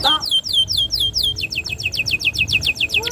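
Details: Canary song from a vigorous long-firing singer, meant to prompt young canaries: steadily repeated descending whistled notes, speeding up midway into a faster run of similar swoops.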